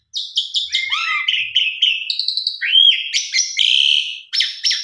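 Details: Asian pied starling song used to lure silent caged birds into singing: clear whistled notes, a rising-falling slur, mechanical buzzy phrases and high harsh bursts following one another rapidly.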